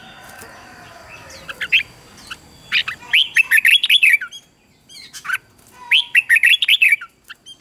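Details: Red-whiskered bulbul song used for training young birds to sing, bright warbled phrases of quick rising and falling notes in two bursts separated by a short pause.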